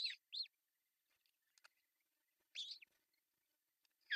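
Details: June 10, 2024 at a Finnish osprey nest as the father brings a fish: paired high chirps, a quiet stretch with soft ticks, another chirping burst, and one more call at the end.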